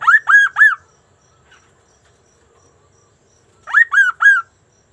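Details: Sunda laughingthrush in lively song: two bursts of three rich, upswept whistled notes, each burst lasting under a second, separated by about three seconds of near silence.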